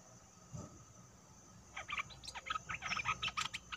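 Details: Wild sooty-headed bulbul singing, dated 29/08/64: after a quiet start, a burst of bubbly, tumbling notes in a rapid jumbled phrase, over a steady background hiss and hum.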